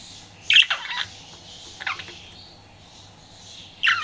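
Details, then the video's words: Pet budgie flirting, giving short bright chirps near 0.5, 1.9 and 3.8 seconds, the first a quick harsh burst, with quiet gaps between. "CUTE PET BUDGIE FLIRTING"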